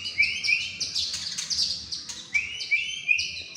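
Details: A short burst from a murai batu (white-rumped shama) contest prospect in Indonesia: clear rising whistles repeated several times, mixed with dense high twittering chips.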